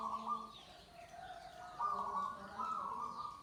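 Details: Zebra dove (perkutut joglo) singing: soft, tonal coos in drawn-out phrases, with a brief low note at the start and two louder, level phrases near the end against a faint background hum.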